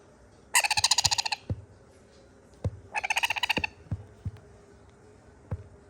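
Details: Sun conure chicks begging for more food: two harsh, rapidly pulsed, buzzy bursts of under a second each, rattling at about a dozen pulses per second, with scattered low knocks and clicks between them.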